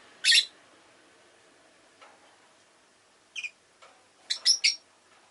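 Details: Pet rosy-faced lovebirds making a loud harsh screech, then paired clipped chirps and a quick burst of three rasping calls, over steady low background hiss.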